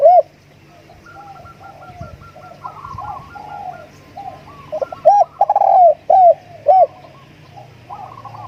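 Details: Spotted dove used as a decoy bird, cooing in loud bursts of short arched, hollow notes in the second half, with fainter coos and chirps from other birds throughout and a steady low hum behind.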